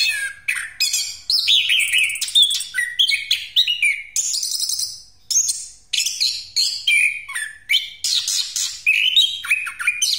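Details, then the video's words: Chestnut-capped thrush, described as in breeding condition and used as a lure call: a fast, unbroken rolling song of varied high whistles, chirps and trills, one phrase running into the next. "Anis Kembang Pastol Ngeroll"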